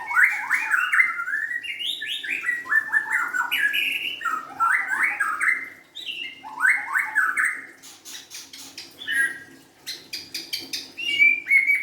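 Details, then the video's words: White-rumped shama song: rich, varied whistled phrases sliding up and down, some rising slurred notes and harsh clicks, delivered in a continuous flowing sequence with brief pauses. "kicauan murai batu"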